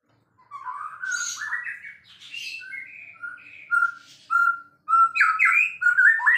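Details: White-rumped shama, a champion bird in full song, delivers a lively series of rich whistles, slurred rising notes and short buzzy bursts, about two phrases every second, in a quiet setting.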